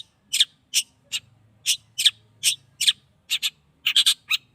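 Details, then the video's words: An 8-month-old caged Long-tailed shrike at its first sunning gives spaced, harsh, buzzy notes, about a dozen separated by short gaps, over a faint low hum. "cendet paud 8 bulan..jemur perdana"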